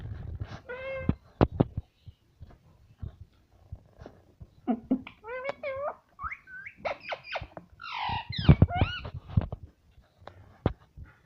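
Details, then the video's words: Pet parrot indoors, said to say everything including words like mummy and papa, gives a run of short harmonic vocal sounds, some gliding up and down, with clicks and low room noise. "ये तोता सब कुछ बोलता है || parrot talking everything"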